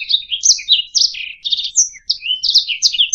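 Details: Canary singing for training songbirds: bright chattering notes and short trills, a rapid buzzy rattle in the middle, a downslurred whistle, then more twittering phrases, with a brief gap before the final burst.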